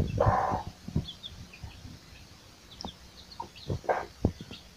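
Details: Chicks and their mother hen searching for food: a few brief clucks, strongest early and near four seconds, separated by quieter gaps with faint high chick chirps and low rumbling background noise.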